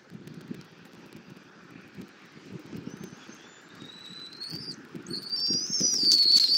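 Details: Bald eagle at a Southwest Florida nest, caught on a nest camera at 08:41 on 24 February 2024 while the mother feeds her eaglet an armadillo for breakfast. Thin high whistles rise and strengthen toward the end over a low rumbling background.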